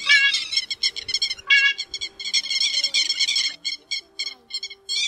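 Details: Grey-headed lapwing calls played as a lure for night net trapping during the August 2024 bird migration, mixed with urgent gull-like calls: dense bursts of harsh, ringing, stacked notes repeated rapidly, then shorter separate notes toward the end.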